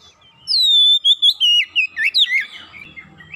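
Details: Kacer, the Oriental magpie-robin, singing fast 'gacor' song as a lure to a bird that has gone quiet: a long bright whistle gliding downward, followed by quick twisting slurred notes in a tight burst.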